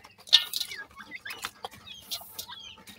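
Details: Young grey francolins giving sharp, thin chirps that slur downward, several in rapid succession, with light clicks and a faint low hum behind them.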